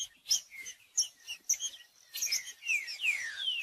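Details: Green-winged saltator song used to stir a cold bird into singing: sharp high chirps and clicks up front, then a closing series of three or four clear whistled notes sliding downward, all fairly faint.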